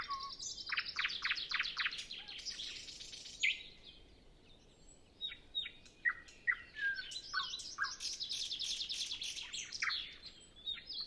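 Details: Nightingale singing early in the morning before sunrise on a windless day, before other birds begin; varied phrases of rapid repeated chirps, rich trills and clear whistled notes, separated by short pauses, recorded with a Zoom F6 and Sennheiser MKH 8040.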